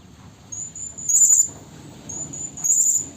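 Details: Blue-crowned hanging parrot lure call for trapping, a female calling a male: two shrill, very high, thin bursts with soft sustained high notes between them, over a low rumbling background.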